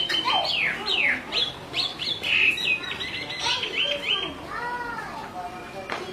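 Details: Chinese hwamei, a female calling continuously and a restless male; quick sweeping whistles and sharp slurred notes in rapid, irregular sequence, with lower curved tones near the end.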